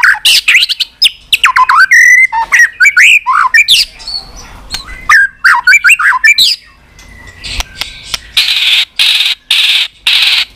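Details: White-rumped shama giving continuous 'tạch' calls to spur weak-spirited birds: fast varied whistles and rattles at first, later broken by loud broadband hissing bursts.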